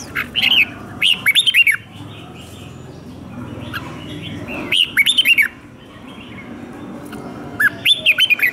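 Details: Red-whiskered bulbul singing its combative training song in captivity; repeated bursts of fast, looping whistled notes, about three phrases in eight seconds, with a quieter murmur of background noise between them.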